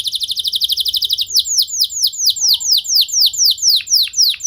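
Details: Canary singing to provoke other canaries to sing: a quick pulsing high trill, then a steady series of loud arched downslurred notes, a few dropping sharply lower near the end.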